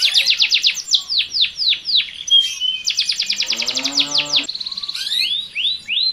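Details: Canary pair before mating, male in full song with female answering: fast series of falling whistled notes, a rapid rolling trill with lower buzzy undertone, then clipped high notes and a few rising whistles.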